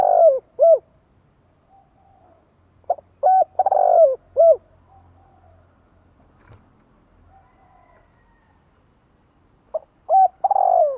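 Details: Spotted dove cooing to call and provoke others into answering: soft, low, hollow coos in short phrases of two to four notes, separated by long quiet gaps, with faint background noise.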